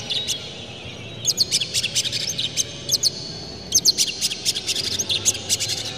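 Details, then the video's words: Oriental magpie-robin song made to provoke other magpie-robins: two bursts of quick, clipped high chirps and ticks separated by a short pause, with a faint low hum underneath. "dijamin kacer langsung ngamuk2 dengar kacer ini bongkar emosi buka ekor ngobra full isian"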